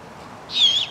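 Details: Great horned owl owlets on a hilltop grove at Stow Lake, Golden Gate Park, San Francisco, on a spring or summer evening: one loud, harsh, hissing screech lasting about a third of a second, flat to slightly falling, over quiet background.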